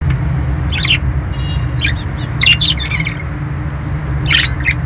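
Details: Pet budgerigars, kept alongside lovebirds, give a few short, high chirping bursts with pauses between them over a steady low hum.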